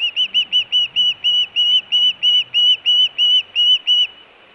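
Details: Whistled osprey calls at a nest camera in Montana in June: a rapid, steady run of about fifteen loud arched chirps, several per second, ending abruptly into quiet hiss.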